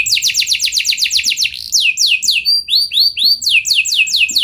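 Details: Canary singing a lure song for other canaries: a quick run of descending trilled notes gives way to slower, spaced upswept whistles, then fast trilling returns; faint low knocks in the background.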